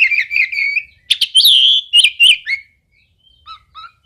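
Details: Oriental magpie-robin singing loud whistled phrases, some sweeping up and down, packed together for about two and a half seconds before fading into a few soft, spaced notes.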